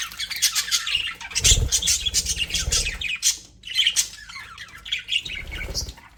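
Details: Happy budgerigars chattering in an aviary: dense scratchy chirps and squawks overlap almost without pause, with a brief low thump near the middle.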